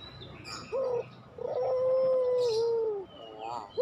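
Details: Puter pelung dove cooing: a short clipped note, then a long, steady, hollow low coo held over a second and dipping at the end, followed by soft wavering notes; faint high chirps from other birds in the background.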